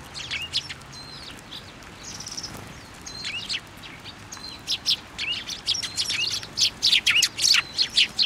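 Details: Flocking Eurasian tree sparrows on a plum tree at a Japanese Tenmangu shrine, February 2024; irregular high chirps building into a rapid, busy chatter of short sharp notes toward the end.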